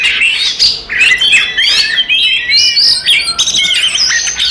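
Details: Oriental magpie-robin fighting song for provoking rivals: clear whistled phrases and fluttering chirps, varied and fast, with a sudden burst of dense, scratchy notes near the end.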